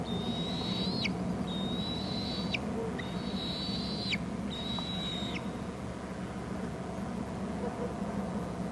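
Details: On a Hornby Island nest cam, young bald eagles call as an adult brings food: four thin, level high whistles each ending in a quick downward slur within five seconds, then only low background rumble.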